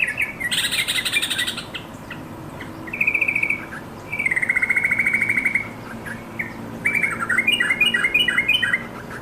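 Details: Yellow-vented bulbul calling to its companions, a recording meant as a lure and tutor for caged birds that sing too little. Bursts of bubbly, whistled, chattering phrases come at about 1, 3, 4–5 and 7–8 seconds, with faint high twitters over a steady hiss.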